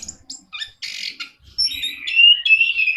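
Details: Orange-headed thrush (anis kembang) in lively song: scattered high chirps and a burst of buzzy noise, then a sustained, warbling stream of wavering whistled notes that grows louder toward the end.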